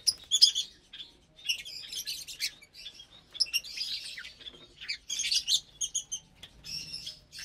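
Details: A group of lovebirds at morning mealtime, eating vegetables and a grain mix, on April 30, 2022. High, raspy chirps and twitters arrive in irregular bursts separated by brief pauses.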